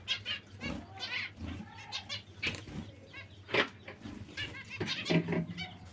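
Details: Zebra finches giving short nasal harmonic calls, spaced irregularly about once a second, with a low background hum and soft rustling between calls.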